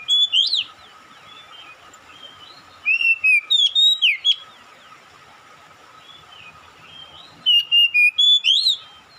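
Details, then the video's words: Oriental magpie-robin calling and answered by another magpie-robin: two bursts of about five clear whistled notes at mid-high pitch, each burst ending in a sharp upward slur, separated by several quiet seconds with faint softer whistles and a steady faint tone. "KACER MEMANGGIL | KACER LAIN LANGSUNG RESPON GACOR"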